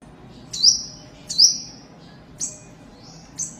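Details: Adult breeding white-eye kept as parent stock: thin, very high whistled notes, each sliding slightly downward, given about once a second with short gaps, over faint low background hum.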